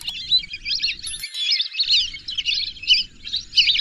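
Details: Whistling ducks calling: dense, overlapping high whistled chirps and twitters that rise and fall in quick bursts, many birds together with no pauses, over a soft low rumble that drops out briefly.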